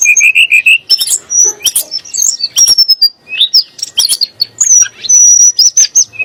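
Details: High, bright song of a Sunda blue robin, played to rile rival magpie-robins and shamas: a run of rising whistled notes opens, then harsh chatter and long thin whistles follow in a continuous, varied sequence.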